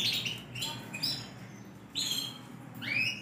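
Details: Big sunkist Yorkshire canary with a TKF ring 20, singing actively on 28 January 2021. Scattered, fairly quiet whistled phrases, some rising and some falling, come at irregular intervals over a soft background hum.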